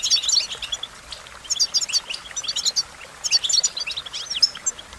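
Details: American goldfinch song in four lively bursts of quick high chirps and slurred twitters, each burst under a second, with short pauses between.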